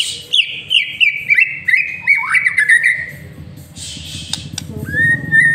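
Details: Master song of a white-rumped shama used to lure birds into singing: a rhythmic train of repeated bright whistled notes with sharp upward flicks, then a hiss, clicks and a short level whistle over low rumbling.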